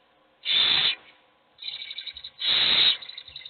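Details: Several hungry owl chicks begging, only one fed: two loud, long hisses with a softer, pulsing rasp from another chick overlapping between and after them.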